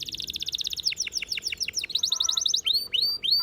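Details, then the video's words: Canary song for training: fast rattling trill of high notes, then a series of swooping downward-curved whistles, a quick chatter, and clear upward-sweeping whistled notes repeated about three times a second. "The Best Canary Singing Video Ever!"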